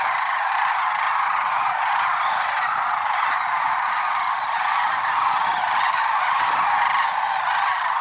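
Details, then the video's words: A large flock of Lesser Sandhill Cranes in early morning at Merced National Wildlife Refuge, 6 February 2023, calling all at once, rolling, rattling bugles merging into a steady unbroken roar. "Early Morning Cranes"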